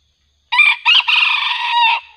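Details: Red junglefowl crowing during a session luring wild junglefowl with a decoy bird; one loud, harsh, broken crow of several rising bursts then a long held note, lasting about one and a half seconds, over a silent background.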